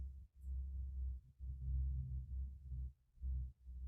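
A deep, throbbing low hum pulses in uneven swells with short gaps, and no animal sound.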